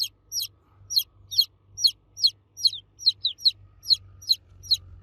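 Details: Baby chicks cheeping loudly for the mother hen: bright, piercing falling peeps roughly every half second, a couple doubled, over a soft low background hum.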